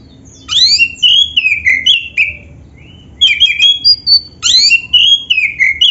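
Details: Oriental magpie-robin of the black-breasted type in loud, varied song with imitated phrases, used to coax other magpie-robins into song: three bursts of sweeping upslurred whistles followed by falling warbled notes, separated by brief pauses.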